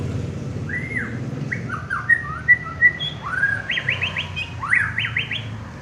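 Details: White-rumped shama, a prize-winning contest bird, sings slurred whistles and bright ringing notes, then a fast series of rising, upswept whistles repeated several times, with low background hum.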